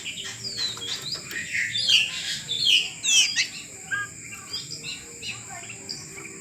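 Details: A caged oriental magpie-robin under taming gives a lively jumble of high sweeping whistles and chattering notes, louder bursts around the middle, quieter scattered notes toward the end, with faint background hiss.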